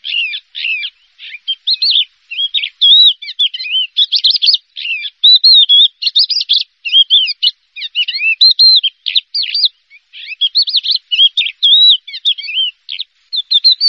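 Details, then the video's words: Champion contest Javan bush lark, first-place winner, singing a dense, rapid song of varied chirps, trills and short whistled notes in quick bursts with brief pauses, continuing throughout without other sounds. "SUARA BRANJANGAN JUARA 1"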